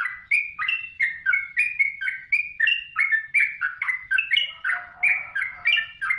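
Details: Trucukan, the yellow-vented bulbul, in lively gacor song used as masteran: rapid chain of rich gurgling notes, each a quick rising or falling slur, with a faint lower warbling note near the end.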